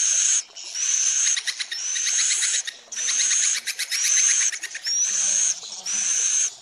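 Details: Swiftlet lure call meant to draw swiftlets into a building to roost: dense, buzzy chattering bursts with a thin high whistled tone on top, repeating roughly once a second with short gaps between.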